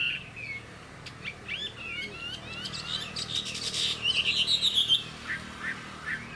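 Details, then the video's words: Caged Chinese hwamei, a bird kept as a pet and described as a good singer and a fighter that fans out its plumage. Scattered whistled slurs and chirps build to a quick run of bright rising notes near the end, with clicking noises throughout. "Họa mi dáng ngũ trường, đấu xòe, hót tốt"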